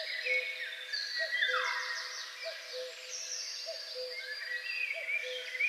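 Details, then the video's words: Common cuckoo in Poland in spring repeats its low, falling two-note "cu-coo" about every second against a busy chorus of high, twittering songbirds. "Kukułka (Kuckuck)"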